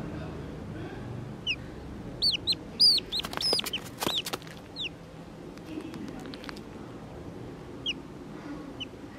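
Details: Distress piping from a Black-bellied whistling duck chick found at a roadside in the early evening: scattered high, sharply arched whistles, clustered in the middle with loud handling clicks and rustling, isolated calls near the end.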